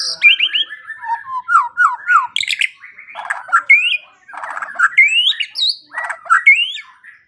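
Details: White-rumped shama training song, played in the morning and evening to make quiet birds sing. Varied slurred notes and rising whistles come in quick phrases, broken by harsh rattling bursts.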